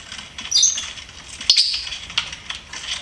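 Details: A pet lovebird gives a few thin, high squeaky chirps, two sharper bursts about a second apart, over soft clicking and scratchy rustling.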